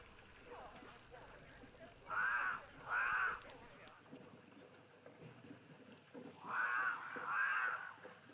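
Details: Cape crows, recorded live on 31 March 2023 and described as giving quite an ominous call, starting up at the moment: four harsh, nasal caws in two pairs, about a second apart, with a quiet gap between the pairs.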